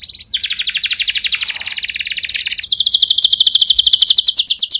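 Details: Canary singing powerfully, a brief note followed by long continuous trills of rapidly repeated notes, about three per second, shifting to a higher, faster rattle midway.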